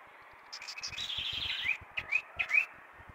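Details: Early-morning chalk-browed mockingbird song at 6 a.m., a run of high warbling notes ending in three bright upslurred whistles.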